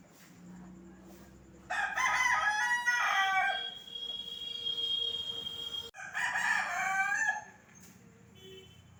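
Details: Rooster crowing while roaming a village street: two loud, harsh crows, the first long and drawn out with wavering harmonics, the second shorter after a brief pause, over quiet background hum.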